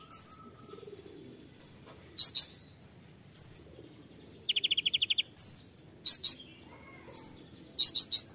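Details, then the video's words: Konin in tembakan song: short high downslurred whistles, paired harsh buzzy notes and one dry rattle of about eight even notes, repeated with short gaps. "KONIN TEMBAKAN"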